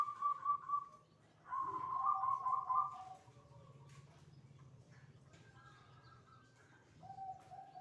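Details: Zebra dove (perkutut) singing ('manggung') in an 'adzan'-like style just before the midday call to prayer: rolling, trilled cooing phrases, a louder warbled burst in the middle, then a softer lower coo near the end over low background hum.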